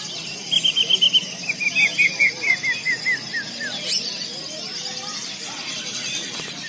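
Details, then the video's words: Greater green leafbird singing at a bird-singing contest: a quick run of about fourteen short, bright chirped notes, the first few level, then stepping steadily lower in pitch, over a busy background of other birds and human voices. "Burung CUCAK IJO full gantanga'N sangat luar biasa"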